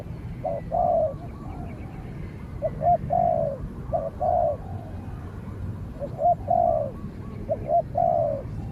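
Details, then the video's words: Spotted dove facing off vocally against a wild dove that stays at a distance and is finally chased away. Repeated cooing phrases of two short notes and a longer downslurred coo, about five phrases with short pauses, low hum beneath. "เสียงนกเขาใหญ่ ต่อ นกเขาใหญ่"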